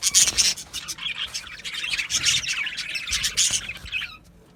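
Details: Flock of budgerigars chirps energetically with bright high whistles and busy warbling chatter, fading out at the very end.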